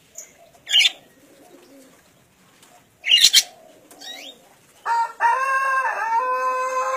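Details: Crowing green junglefowl, a wild-caught male aged one and a half years, kept in Kediri, East Java: scattered clicks and taps, then a short sharp note leading into a drawn-out, rich, gently descending crow.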